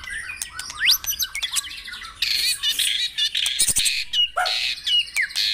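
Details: White-rumped shama singing in a morning dewing recording meant to stimulate caged birds: quick whistled slurs give way to harsh, scratchy broadband bursts and chattering notes, loud and uneven throughout.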